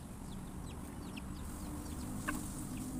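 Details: Chickens interrupted while eating by a noise utter scattered brief, high, descending squeaks, several overlapping birds, with a faint click near the end and a steady low background drone.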